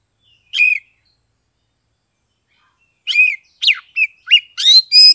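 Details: Oriental magpie-robin from Kebumen, Central Java, in ngeplong song used to coax silent birds into singing. One lone chirp, then after a pause a fast string of rising and falling whistles and buzzy notes, with nothing else audible.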